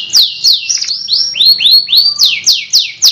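A canary sings a lively, fast series of bright swooping whistles, some falling and some rising, repeated several times a second in a continuous flowing song.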